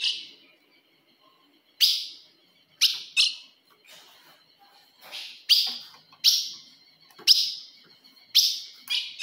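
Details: Calls of a female ultramarine grosbeak, meant to provoke a male: about nine sharp, emphatic chips spaced unevenly, some coming in close pairs, over a quiet background.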